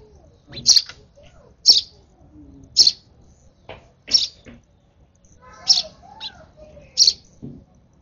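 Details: Sparrow nestling taking food from a hand calls with around six high, sharp chirps at one-second intervals, with faint softer squeaks between them.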